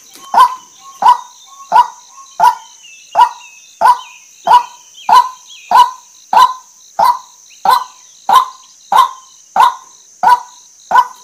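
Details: Long steady series of about seventeen harsh honking notes from a female white-breasted waterhen, one every 0.65 seconds, a call said to draw waterhens in quickly; constant shrill insect hum and faint whistles in the background.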